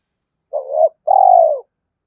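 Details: Spotted dove used as a decoy, cooing to draw and challenge rivals: a short swelling coo followed by a longer, steady, slightly falling coo, with no other sounds.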